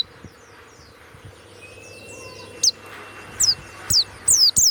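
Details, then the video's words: Kept Banyuwangi warbling white-eye noted for loud 'ngeplong' song; after quiet hiss, a few isolated high, thin descending whistles, then a short closing cluster of sharp notes. "SUARA PLECI YANG MANTAP"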